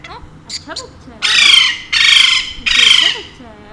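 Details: Brief faint chirps lead into three long, loud, rasping squawks from a talkative pet Alexandrine parakeet, spaced under a second apart.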